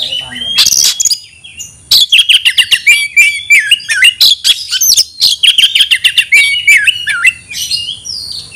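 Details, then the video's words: Oriental magpie-robin (kacer) crying to provoke an opponent into fighting: a harsh opening burst, then long runs of rapid, sharp repeated notes over descending whistled slurs, ending with a falling whistle. "Teriakan KACER panggil lawan tarung"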